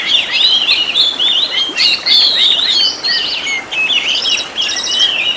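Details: Oriental magpie-robin singing a master recording meant to train caged birds, a long varied run of whistled and scratchy notes, including quick repeated trill-like bursts toward the end.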